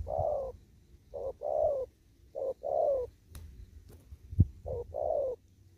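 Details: Spotted dove in an upland field cooing 'thúc gù': four pairs of a brief hoot followed by a fuller, longer coo, broken by a couple of sharp clicks and a soft thump, over a low hum.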